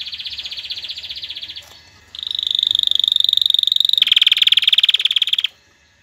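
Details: Canary song to stimulate mating and teach chicks: a rolling trill, a brief gap, then a loud, harmonic-rich, rapidly pulsed trill that drops slightly in pitch before stopping.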